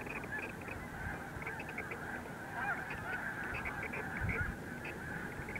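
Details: A mass of snow geese erupting into flight at Montezuma, New York, in March 2023 creates a steady wall of many nasal honking calls, closely layered and unbroken, over a faint low background rumble.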